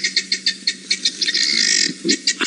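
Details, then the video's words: Birds in Djuma Game Reserve, Sabi Sand, South Africa, alarm calling at a male leopard chasing prey in the afternoon-evening of 2 October 2017: harsh, scratchy notes, four or five per second, with brief chatter, over a low engine hum. "You can hear the birds are alarm calling now."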